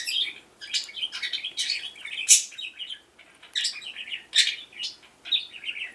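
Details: Pet budgerigar chattering indoors: rapid bursts of high, scratchy warbles and chirps in clusters, with brief pauses between runs.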